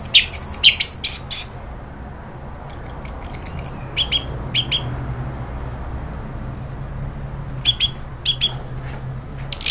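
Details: Orange-headed thrush (anis merah) from Indonesia in a provocation recording meant to make a bird agitated, chattering then singing freely: bursts of rapid high, sharp notes separated by short pauses, with thin whistled slurs between the bursts.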